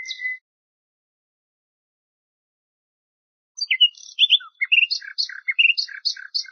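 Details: Common nightingale song phrases prepared as a tutor tape for teaching Moroccan bulbuls: a brief high note, then a long pause, then a run of varied chirps and rapid repeated notes, clean with no background sound.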